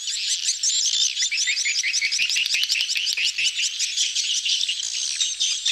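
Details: Busy crowd of swiftlets gathering to mate, a lure recording called "betompok": dense overlapping high chirps and short twittering notes, rapid and continuous, with bright ticking calls packed together throughout.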